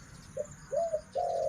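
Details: Female Spotted Dove decoy bird cooing: a brief soft coo, a two-part arched coo, then a long steady coo running to the end, with some background noise.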